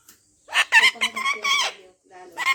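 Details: Pet parrot, said to be swearing, producing harsh speech-like syllables in a quick burst of four or five sounds, a pause, then one more syllable, in a small room.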